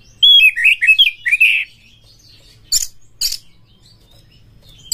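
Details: Singing white-rumped shama used as a prompt to get other shamas singing: a burst of rich warbled whistles and slurred notes around the first second and a half, then short sharp chips after a quiet gap.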